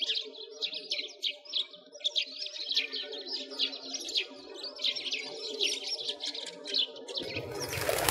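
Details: Winter chorus of sparrows at a frozen lake in a Moscow park, Russia: steady overlapping high chirps, a constant low hum beneath, ending in a sudden burst of loud broadband rushing noise.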